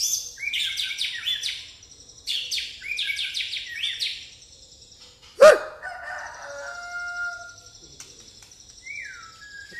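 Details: White-rumped shama in pastol style with fighting-sparrow mimicry: two bursts of fast, high, chattering chirps, then a single sharp crack and a trailing whistle, with a short falling whistle at the end.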